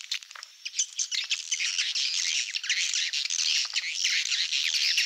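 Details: Swiftlet farming lure in the Malaysian style from Indonesia, a thick wall of shrill, overlapping chirps and squeaky twitters, steady and unbroken after a choppier first second.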